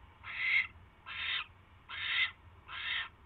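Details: Owl on January 28, 2016 at night, getting a mouse: four spaced, breathy rasping screeches, each roughly half a second long.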